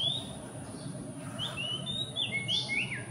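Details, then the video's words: Philippine magpie-robin, possibly claiming territory while gathering nest material; a few rising and falling whistled notes, thinner and further off, strung together in the second half over a constant low rumble. "Philippine Magpie-robins Gathering Nest Materials & Possibly Singing To Claim Territory"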